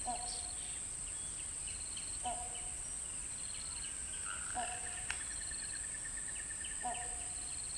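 Great hornbill giving short, hoarse barking notes about every two seconds. A steady high insect drone and thin notes of small birds run behind.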